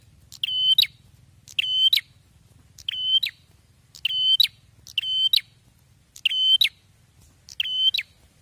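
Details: Bar-winged prinia singing loudly and persistently: seven shrill, evenly pitched whistled phrases, each ending in a snapped note, repeated about once a second against a quiet low hum.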